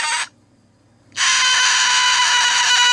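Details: A grumpy pet cockatoo at bedtime on a Friday night screeches: a brief harsh burst, a pause, then a long, loud, raspy sustained scream.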